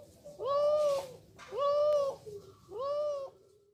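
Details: Three clean, hollow coos from a male spotted dove, an F3 Kelantan cross of the multi-kuk type. Each coo is flat-toned, lasts well under a second and is spaced about a second apart, over a quiet indoor background.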